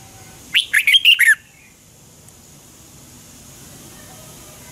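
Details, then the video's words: Red-whiskered bulbul singing a morning phrase in the 'double-twist' style, 2020, used as a training lure: one quick run of five bright warbled notes dropping at the end, followed by quiet with faint hiss. "Luyện chào mào hót sáng 2020 chào mào giọng xoắn kép Quá hay, luyện chào mào hót"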